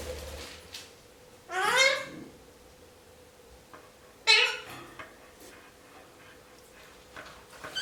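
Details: Pet Indian ringneck parakeet mumbling before its nap indoors: two short, harsh, raspy chattering bursts with a few soft, scratchy sounds between them and a faint steady hum in the room.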